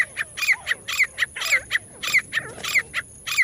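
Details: Partridge call used to lure partridges for catching: loud, harsh notes repeated in quick pairs and triplets, around one and a half phrases per second, with a steady high hiss in the background.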